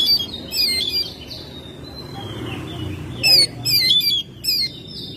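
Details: Oriental magpie-robin kept at home, singing energetically in May: scattered whistled notes, a quiet pause, then a quick series of loud bright chattering phrases with short gaps.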